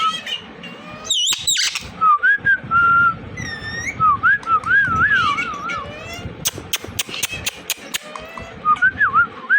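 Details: Pet Indian ringneck parrot whistles in looping, wavy tones, breaking into short squeaky bursts and a run of sharp, evenly spaced clicks near the end.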